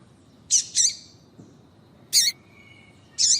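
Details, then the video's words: Female double-collared seedeater calling to prompt a male's song: a quick pair of buzzy high chirps, then single sharp chirps about a second apart, with a faint thin tone between them. "Piado de Fêmea de Coleiro para Foguear Coleiro tui tui Com Fêmea de Coleiro Chamando"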